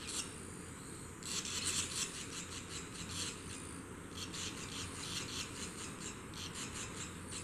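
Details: Newly hatched barn swallow nestlings, second day of observation, make a dense, scratchy chorus of high thin chirps in repeated bursts throughout, louder near the start, against a low rumbling background.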